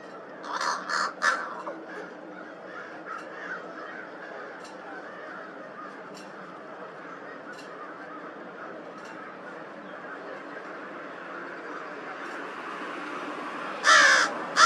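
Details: Crow making an unusual sound, recorded on March 18th, 2023 at Twin Lakes: three short harsh calls at the start and another loud burst near the end, separated by a long stretch of steady background hiss with faint ticks.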